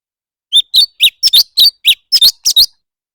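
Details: In a singing duel, a leafbird delivers rapid, shrill chirps, some single, some paired, around nine bursts in two seconds, cleanly recorded.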